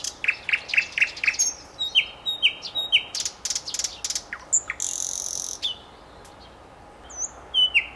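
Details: Nightingale song: a run of five short, sharp repeated notes, then a series of upslurred whistles and dry buzzy clicks. A pause follows before clear rising whistles close the phrase.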